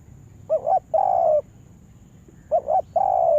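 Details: Yard-trained spotted dove used as a lure for trapping. Two low phrases, each a wavering short double coo followed by a long, flat, slightly falling coo, separated by a pause.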